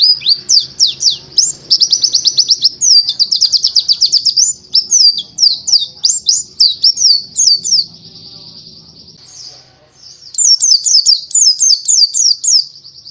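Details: Oriental white-eye, subspecies buxtoni, singing a master song used to train other birds; a fast, high, continuous stream of sweet whistled and trilled chirps, rising and falling notes strung together almost without pause, with a brief gap near ten seconds.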